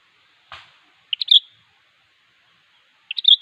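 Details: Sooty-headed bulbul singing to call a rival; a click, then two short bubbly whistled phrases of three quick notes each, about two seconds apart, in an otherwise quiet setting.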